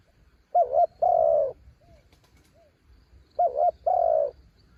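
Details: Decoy spotted dove on a branch, calling to draw in wild birds: two cooing phrases, each a quick double-humped note followed by a longer mellow coo, with soft slurred notes in the pause.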